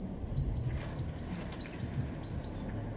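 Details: A great tit in a garden in Weener, East Frisia, northwest Germany, in March 2023 sings a high two-note phrase, a sharp upper note dropping lower, repeated about every half second, over a steady low rumble.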